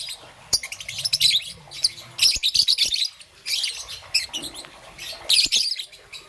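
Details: Young green-and-yellow peach-faced lovebird in the morning giving harsh high twittering chirps in three or four separated bursts, with a few sharp clicks or taps between.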